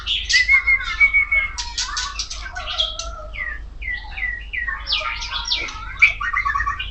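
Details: Loud, varied magpie-robin song from a kacer poci: a fine whistle opens into a rapid medley of downslurred whistles, harsh buzzy bursts and chattering phrases, with a low background hum throughout.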